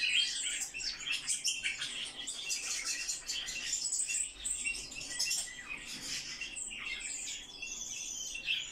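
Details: Eurasian blackcap song as a long stream of fast twittering and scratchy chatter, interspersed with short clear whistled notes, sustained without a break.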